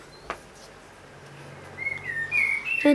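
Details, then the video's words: Short phrase of Common blackbird (Turdus merula) song after a quiet start: a smooth whistled note gliding upward into a brief high ending, with a single click early on. "Blackbird song - Turdus merula - შავი შაშვი"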